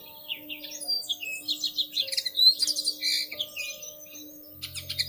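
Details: Bushtits at their woven nest in a plum tree, early May, recorded through a living room window: high, thin twittering calls and short sputtering chatters in rapid irregular runs, over a low faint electrical hum.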